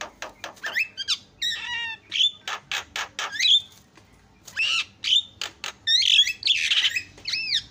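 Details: Asian pied starling song meant to rouse other starlings: choppy mix of harsh squawks, clicking bursts, rising and falling whistled slurs and rough noisy notes, with short pauses between phrases.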